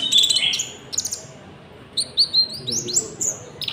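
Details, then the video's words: Konin song used as a lure for trapping wild birds and training caged ones: high, thin chirps and short descending whistles in two bursts, then a run of sharp rising and falling notes. "PANCINGAN GACOR BURUNG KONIN ISIAN JANGKRIK , AMPUH BUAT PIKAT & MASTERAN"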